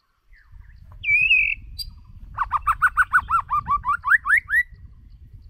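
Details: White-rumped shama kept as a lure bird, singing: a clear high whistled note, a short pause, then a fast run of about eleven repeated, slightly rising fluty notes with a low background rumble.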